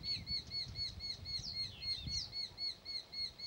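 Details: Pair of Eurasian hobbies at their nest: a rapid, even series of sharp, slightly arched squealing notes, about four per second, runs throughout, with a few higher slurred chirps mixed in and low rumbling underneath.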